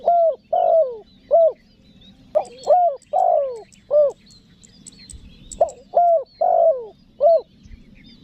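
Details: Spotted dove calling and pressing its coo, a sound meant to draw wild doves: three phrases of low mellow coos, the middle notes long and falling, with a thin high chirping bird over the second phrase.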